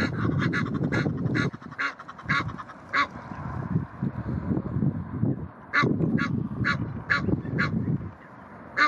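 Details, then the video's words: Egyptian geese defending their territory aggressively at the Blies in Ludwigshafen am Rhein; bursts of hoarse, rasping honks repeated in quick runs, with a pause in the middle, over steady low rumbling background noise. "Aggressive Egyptian Geese defend their territory"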